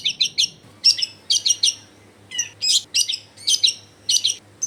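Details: Long-tailed shrike, used as a lure so other shrikes start singing, recorded in a crowded neighbourhood: quick clusters of two to three harsh chattering notes with short gaps between them, over a steady low hum.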